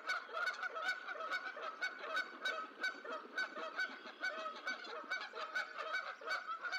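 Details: Goose family in the Decorah eagle nest on 14 April 2024 as the sixth and last gosling hatches, goslings soon to leap from the nest: rapid, repeated short nasal honking calls, about three per second, with sharp clicks between.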